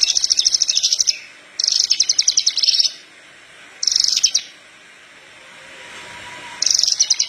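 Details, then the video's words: Horsfield's bush lark song used to train other larks to sing: bursts of very high, rapid buzzy trills, each about a second long, separated by short silences. "Branjangan parva gacor pas buat pancingan branjangan bahan"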